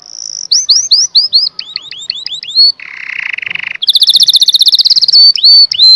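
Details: Singing canary moving from a steady whistle into repeated downward-slurred notes, then a low buzzy rolling trill, followed by a long, very rapid high trill and a few swooping whistles.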